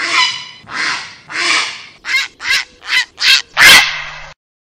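A grey heron gives eight harsh, croaking squawks: three drawn-out rasps, then five shorter, quicker barks. No other sounds are heard.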